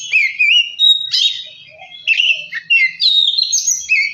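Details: Oriental magpie-robin singing as a provocation for other birds: smooth whistled slurs, a long steady note, then scratchy chatter and rising and falling whistles after a brief lull.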